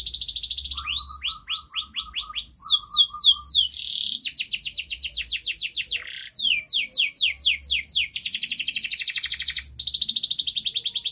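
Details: Canary master song used to prompt a silent canary into singing: loud, fast trilled phrases of repeated rising and falling whistled notes, shifting between buzzy rolls and sharp sweeping chips, with a low hum underneath.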